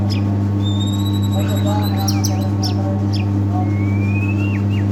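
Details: White-rumped shama of the Medan type, performing in a bowing play style and used as a lure to train young birds; long thin high whistles and sharp slurred notes over a constant loud low hum.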